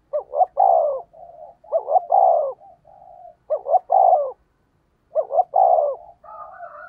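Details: Decoy spotted dove calling to entice wild doves, four cooing phrases each of two clipped notes and a longer descending coo, joined by soft murmured notes, with a faint low hum underneath.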